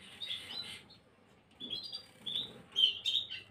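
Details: Gloster canary, 9 January 2023, giving brief rich twittering phrases: a warbled burst, a pause, then rising clear chirps that grow louder toward the end.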